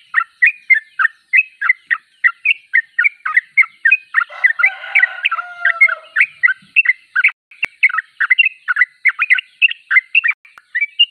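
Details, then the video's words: Gacor Sooty-headed bulbul pouring out rapid, chattering bursts of bubbly notes, with a softer tonal sound mixed in around the middle and a sharp click later. "Trucuk termewah suaranya paling di cari"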